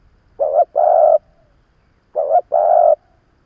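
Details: Experienced decoy spotted dove calling to draw in rival wild doves, giving two low hollow coos, each a brief clipped note followed by a longer steady one, separated by about a second and a half.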